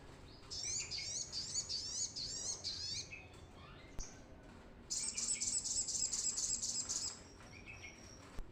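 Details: Vigorously singing brown-throated sunbird, recorded as a lure for newly caught birds: two long bursts of very high, fast, jingling trills, each around two to three seconds, with a quiet gap between and steady low hiss.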